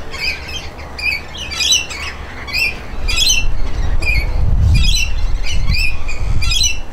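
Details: Rainbow lorikeets, a pair bathing after driving other lorikeets away, give shrill harmonic screeches in quick bursts, several per second early on, then a low rumbling and splashing background takes over the second half.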